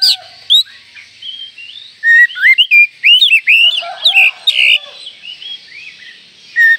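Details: An Oriental magpie-robin gives a rich run of loud, varied whistles, slurred rising and falling notes with sharp chips, packed densely mid-phrase; a call meant to provoke other magpie-robins.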